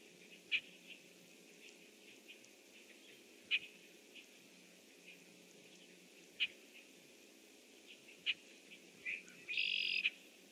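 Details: A red-winged blackbird calls from its nest tree on the morning of 25 June 2014, around 7:08 am: sharp, dry chip notes every two to three seconds, ending with a brief harsh buzz, over a quiet background.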